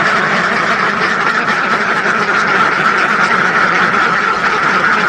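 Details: Steady, dense quacking of a flock of thousands of ducks, countless overlapping calls merging into one constant loud chatter.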